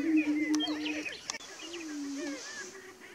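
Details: Prairie chickens before dawn on 30 March 2018. A low moaning tone fades after one second and returns more softly, with overlapping quick cackles and a couple of sharp clicks.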